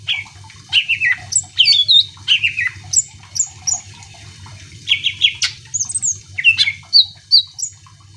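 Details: Greater green leafbird in energetic song meant to provoke other birds: bright whistled phrases, twangy downslurs and sharp high chirps in quick bursts separated by short pauses, over a low background hum.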